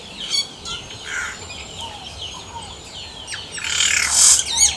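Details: Wild yellow-rumped cacique delivering quick chattering notes and downslurred whistles, building to a loud, rough, harsh squawking burst near the end.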